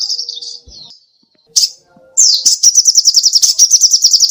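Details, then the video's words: Songbird known as sogoh ontong, singing actively for a training recording: soft high warbled phrases and a near-silent pause, then a sharp note and a loud, fast, buzzy trill of repeated notes. "SUARA BURUNG SOGOH ONTONG GACOR"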